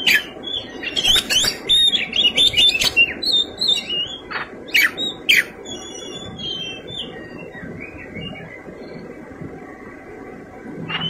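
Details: Kacer (Oriental magpie-robin) fighting song with rich fill-ins: a loud volley of rapid whistles, chirps and sharp clicks for about six seconds, then near silence with only faint squeaky notes and low hum.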